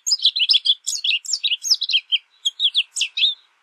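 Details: American goldfinch singing a lively string of bright, swept chirps and twitters, about three to four notes per second, slowing slightly toward the end.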